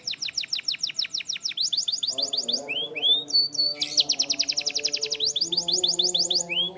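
A canary sings fast, high rolling trills of repeated notes, shifting between bright chattering runs and sweeping whistles, over a soft steady musical drone.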